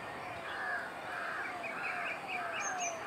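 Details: Grown great cormorant fledglings at Kaikondrahalli lake nests, 21 April 2021, refusing to fly and begging parents for food; rough croaking calls repeated continuously, with thin whistled notes from another bird and a brief high chirp.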